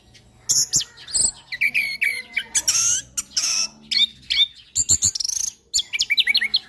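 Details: Orange-headed thrush singing a steady song used to tutor other birds: a busy mix of squeaky whistles, harsh buzzy notes and fast rattling trills, continuous throughout.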